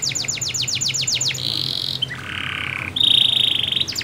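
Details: Canary song used as a lure to get a silent canary singing: fast repeated descending sweeps, then a steady buzzy note, a lower sustained trill, and a bright rapid high trill.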